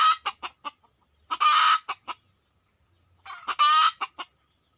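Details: Red junglefowl drawn in during a decoy hunt: loud harsh clucking notes in quick runs, broken by two longer, buzzy, crow-like rasping bursts, with a pause between the groups.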